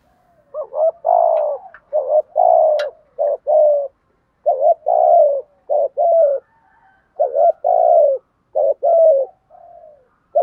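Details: Decoy spotted dove with a fine, patterned voice, cooing rapidly in back-to-back two-part phrases, a brief upslurred note followed by a drawn-out descending coo, nearly continuous over the stretch.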